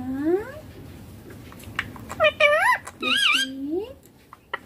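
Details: Baby ringneck parrot making natural sounds: a rising harmonic whistle, then warbling, wavering notes and a drawn-out upslurred call, loosely resembling speech-like syllables in short bursts.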